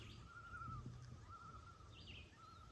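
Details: A loon's long, pure, mid-pitched note, held steady for seconds with a slight waver, heard from a garden at the end of July during harvest season. Faint chirps of small birds and a low outdoor rumble sit beneath it.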